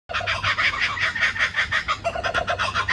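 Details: Laughing kookaburras in Sydney's suburbs give a loud, harsh, rapid cackle of chuckling notes, about four or five per second, rising and falling in a rollicking laugh.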